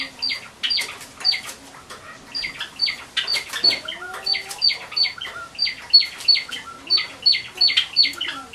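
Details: A white Java sparrow, let out of its cage together with a male, gives bright, high chipping notes, about three per second in a steady run, with soft wing flutters and light tapping between them.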